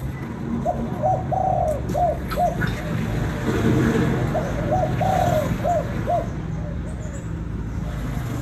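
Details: Spotted dove from Vietnam calling to stir a decoy bird: two soft, hooting coo phrases, each a longer drawn note followed by several short rising-falling coos, separated by a pause, over steady low rumbling hum.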